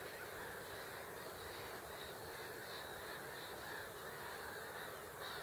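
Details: Several great crested grebes on Hubertus 2 pond in Katowice, Poland, on 26 March 2021, giving harsh, nasal croaking notes in a loose series, roughly one or two a second, over a steady background hiss.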